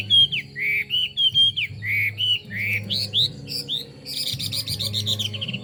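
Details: Chinese hwamei delivering loud, varied whistled phrases: falling slurs, rising sweeps and held notes, ending in a rapid buzzy trill of high notes, over a faint low hum.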